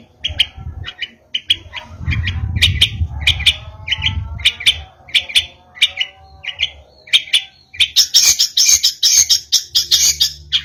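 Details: Caged Long-tailed Shrike learning song material, giving a rapid run of sharp, scratchy chirps and harsh notes, about two per second, ending in a denser burst; low rumbling handling noise early on.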